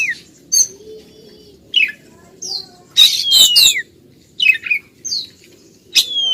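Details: A female Oriental magpie-robin persistently calling to a male gives spaced short whistled slurs and chips, one louder cluster with a long falling whistle, over soft background hiss.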